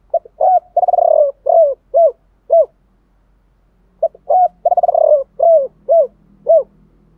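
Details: Spotted dove in 'thổ bầu' style, male and female calls meant to make birds coo; two rapid bursts of short clipped coos, a rattling stutter and a longer note amid quick repeats, separated by a second-long silence.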